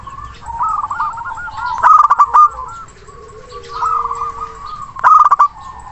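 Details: Big-voiced local zebra dove calling a rival, meant to stir quiet birds into singing: two loud rolling coo bursts three seconds apart, over warbling trills from other birds and a short level whistle.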